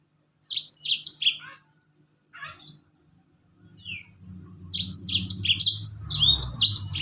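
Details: Yellow-fronted canary song used as a lure to make other birds sing: a fast rolling run of sweet, high whistled notes, pausing, then resuming in a longer rolling burst with a low hum beneath.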